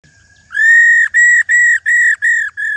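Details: Old wild-caught female white-browed laughingthrush giving the rò call, used to stir males into singing: six loud, nasal, harmonic-rich notes, each about a third of a second, evenly spaced after a faint lead-in note.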